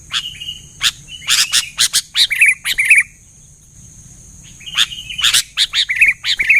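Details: Sooty-headed bulbul singing vigorously and drawing quick replies from other bulbuls; short bubbly warbled phrases in two bursts, mixed with a rapid series of loud, dry, sharp clicks, with a near-silent pause in between.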